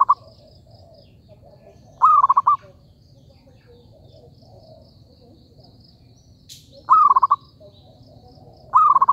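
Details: Zebra dove, recorded for luring birds into a trap, gives three short bursts of rapid stuttering notes at mid pitch, spaced several seconds apart, with a quiet low rumble and one brief click between phrases.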